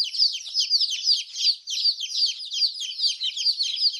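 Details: Massed peeping of colourful chicks: loud, shrill, down-sweeping notes in a fairly even pulse of about three per second, layered by many chicks, with nothing else audible.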